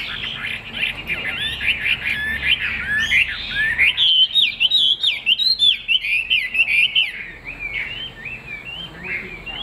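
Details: Energetic song of a caged Chinese hwamei with a fig-leaf tail: rich, rolling whistles, then a run of sharply repeated swooping notes, easing into softer warbling at the close.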